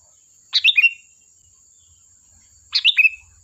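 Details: Lively sooty-headed bulbul song meant to draw answers from other birds: two crisp bubbly phrases about two seconds apart, each a fast run of chirps falling to a lower slurred note, over a faint high tone.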